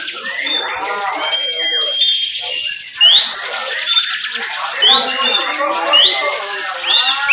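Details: Bar-winged prinia (ciblek) in a caged bird-song competition, singing the 'bren' style song: rapid buzzy trills with sharp rising whistled sweeps repeated about every second, amid other birds and people's voices.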